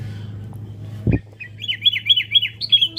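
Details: Sooty-headed bulbul heard for fight-mentality training: a single click, then a rapid, lively string of about eight high, bright chirps that grows louder toward the end, over a faint low hum.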